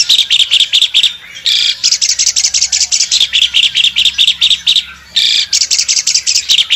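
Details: An albino Asian pied starling sings energetically with wings spread: a fast, continuous run of chattering, whistled and squeaky notes, bursting into louder harsh phrases now and then.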